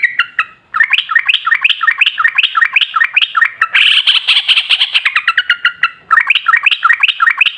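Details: Sooty-headed bulbul in long ropel ngalas gacor song, used to draw answering bulbuls: sustained fast chirping runs with a brief harsher, higher passage in the middle and a short gap before the run restarts.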